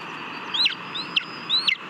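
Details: Lesser spotted eagle at its nest in Latvia, filmed by a live nest camera on 18 July 2022 while eating a mole on its own. Three high, thin whistled calls slur down sharply, evenly spaced about half a second apart over a steady background hiss.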